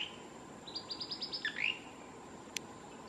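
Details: Singing male Blue-crowned Manakin, Osa region of Costa Rica, March 7, 2019: one run of about seven quick high notes capped by a lower swooping buzzy phrase, then quiet forest with a single sharp click.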